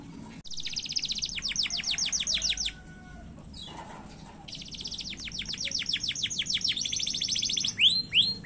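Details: Canary singing in a fast, short-phrased 'gacor' style meant to provoke other canaries into song: two long, rapid trills of sharp descending sweeps separated by a brief pause, followed by a few louder slurred notes.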